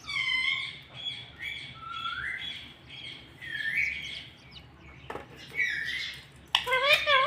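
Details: Talking pet parrot saying words like mitthu; quieter series of short whistled and nasal syllables, some rising, ending in a louder harsh burst, over a steady background hiss.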